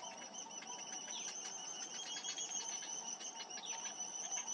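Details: Seven-day-old cinnamon bittern chicks being fed by a parent bird: a rapid stream of thin, high, double-toned peeps, roughly three per second, running steadily through the clip.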